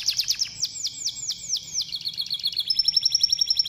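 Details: Singing canary used to encourage canaries to practise their song: quick chattering notes, then a run of sweeping downslurred whistles slowing, ending in a rapid high rattle.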